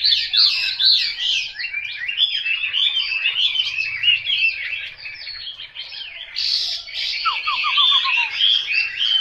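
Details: Chinese hwamei, a chosen bird, delivers a fast scratchy high warble with varied slurred notes, a brief loud burst midway, and a short descending series of quick whistles near the end.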